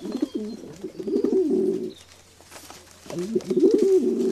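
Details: Pigeons cooing: two bouts of low, throaty, rolling coos, each lasting one to two seconds with a brief rise and fall, separated by a short pause. Faint background noise sounds like a small room.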